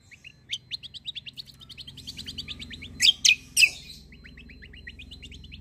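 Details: Greater green leafbird in a long rolling kecial kombo song: fast series of short high chirped notes, a trio of loud harsh bursts in the middle, then chirping resumes over a low mechanical hum.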